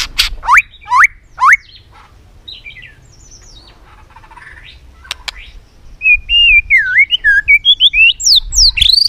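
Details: Caged white-rumped shama singing to compete: quick upswept notes at the start, a quiet stretch with clicks, then a rapid run of looping whistled notes climbing higher.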